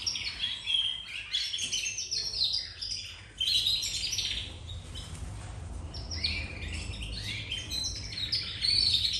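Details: Many young domestic canaries from a home breeding trying out their song: bursts of high jumbled twittering and short trills separated by quieter stretches, with low background rumble.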